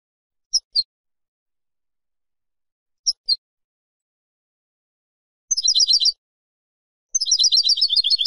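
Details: Goldfinch song, European, from a silvestrismo compilation: two pairs of short high chirps spaced a few seconds apart, then two brief bursts of rapid tinkling twitter, each under a second long, amid silence.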